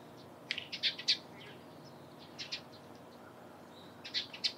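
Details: Morning chirping of a Eurasian tree sparrow, quick high tweets bunched in rapid runs, then a pause and another brief cluster near the end, with soft ambient hiss behind.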